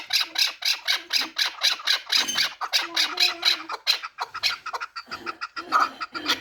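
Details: Fighting and hunting chukar from the Pamir, four years old, delivering dense, harsh chattering notes in quick succession, several per second, with slight pauses and faint low tones beneath.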